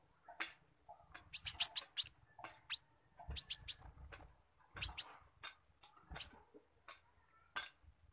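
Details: Spotted sunbird (konin trotol), kept for song training, singing a squirrel-imitation phrase: sharp, very high chirps in rapid bursts of three to four, separated by short pauses, with single scattered ticks between.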